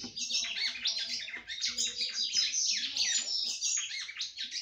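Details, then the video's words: Female red-cowled cardinal, kept by a breeder, singing at length to stimulate the male: a dense, fast stream of high warbled and chirping phrases with quick rising and falling notes, sung almost without pause. "FÊMEA DE GALO DE CAMPINA CANTANDO MUITO PRA FOGUEAR SEU CAMPINA"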